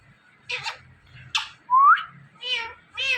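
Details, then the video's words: Indian ringneck parrot speaking: a run of harsh, buzzy syllables, a clear whistle rising steeply, then two nasal meow-like words. "Indian Ringneck Talking Parrot"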